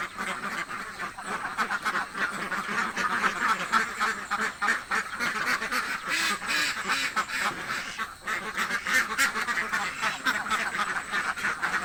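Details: Hungry ducks kept for eggs in a village quack continuously, rough nasal calls tumbling over one another at nearly four per second, a dense farmyard chorus.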